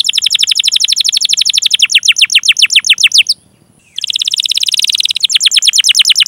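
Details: Canary in long rolling song used to trigger singing in juvenile, untrained or silent canaries: a continuous fast trill of repeated downslurred chirps, broken by a short silence before resuming.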